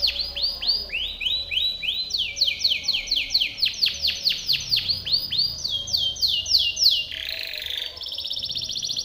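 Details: Timbrado canary singing a training song for other canaries: long series of rapid descending whistled sweeps in repeated tours, shifting pitch every second or so, ending in a buzzy rolling trill.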